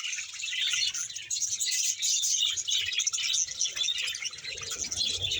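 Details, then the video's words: Budgerigar colony of roughly 100 pairs kept in Bahawalpur: many birds chattering together in an unbroken high twittering blend of chirps and warbled notes, slightly louder bursts every second or so. "100 pear budges parrot colony# bahawalpur budges sound"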